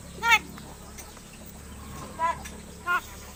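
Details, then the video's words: Captive myna about seven months old, raised for over seven months and starting to talk: three short, nasal, speech-like harmonic bursts, the first at the start and two more close together near the end, over a faint steady hum. "MARTINEZ BIRD TALKING!"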